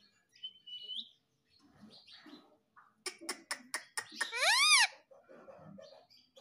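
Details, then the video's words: Indian ringneck parakeet, a talking pet bird in India: faint whistled note and murmurs, a quick series of five sharp clicks, then one loud grating arched screech. "Mummy Papa Bolta Parrot || Mitthu Mitthu Bolne Wala Parrot || Talking Parrot"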